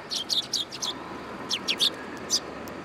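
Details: Sparrows hopping onto a person's hand at a Tenmangu shrine on 8 July 2022; a rapid run of bright, slightly buzzy high chirps in two bursts, loud and close, over faint background noise.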